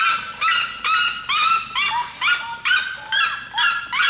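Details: Red-legged seriema (Cariama cristata) singing: loud, harsh yelping notes, each rising then falling, repeated steadily about twice a second.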